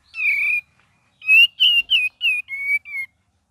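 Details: Gacor and ngeriwik variation from a cream-vented bulbul: a long level whistle, a pause, then six short clear whistled notes in rapid series, gradually lower in pitch, in quiet surroundings.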